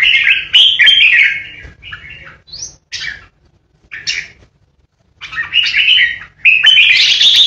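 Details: Decoy red-whiskered bulbul in a cage performing 'ché' song meant to intimidate rival birds: warbled phrases, a few short sharp notes, a near-silent gap, then loud resumed chattering warbles.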